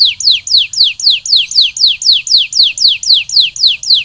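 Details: A canary recovering after its moult sings a rapid, steady tour of high, down-slurred whistled notes, nearly four each second, over a faint low hum.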